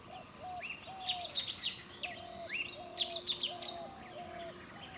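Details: Golden-fronted Leafbird in Anjuna, Goa, India, December 2000, gives a quick, varied run of high chirps and upslurred whistles, while a lower, flat, hooting note repeats about every second beneath it.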